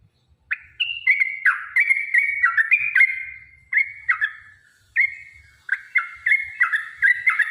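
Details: Yellow-vented bulbul singing a long 'ropel' fighting song used to draw other bulbuls into song: clusters of liquid, warbling whistles, some notes swooping down, delivered in uneven bursts separated by short pauses.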